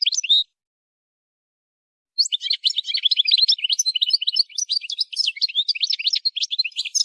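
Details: Goldfinch singing in song training: a short chirped note, a pause, then a sustained, lively twitter of quick high notes running for about five seconds without break.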